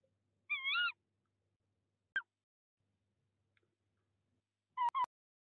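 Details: Tawny owl pair at a nest box in De Mortel during the breeding season, 22 February 2021, as the male brings prey to the female. One hoarse, harmonic call rises at the end, then a click, then two short calls close together.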